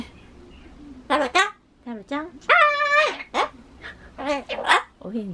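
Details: A pet talking Ducorps's (Solomon) cockatoo chatters short, harsh, nasal voice-like syllables, repeatedly trying to say "bye-bye", with a drawn-out, wavering phrase mimicking human speech.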